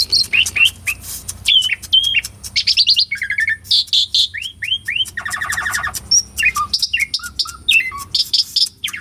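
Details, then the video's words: Asian pied starling in strong, energetic singing form, recorded live on a Sony A6400 and played to provoke silent birds into singing: fast varied whistles, slurred upward and downward notes, clicks and a dense buzzy rattle mid-phrase, with faint low hum behind. "KICAUAN JALAK SUREN GACORAN - PANCINGAN JALAK UREN MACET"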